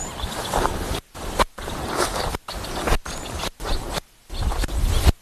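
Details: Rough broadband rumbling bursts broken by brief silences, like a vehicle or handling noise outdoors, with no animal voice heard.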